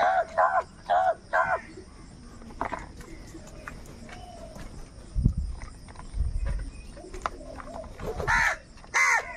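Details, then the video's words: Crows squabbling over food call in a quick run of four short, harsh caws at the start, then go quiet apart from thumps and low rumbles before more ragged caws break out at the end. "All types of crow sounds - Angry kauwa ki awaaz | Crow bird unity anger and sound for food"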